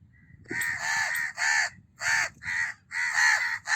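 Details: House crow giving harsh, nasal caws, each drawn out for about half a second with a dipping, hoarse tone, repeated roughly five times in under four seconds over a faint low rumble.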